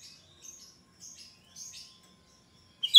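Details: Cucak rante singing shrilly as a lure for untrained birds: three soft, high chirping notes spaced about half a second apart, then a sudden loud bright whistled note at the end.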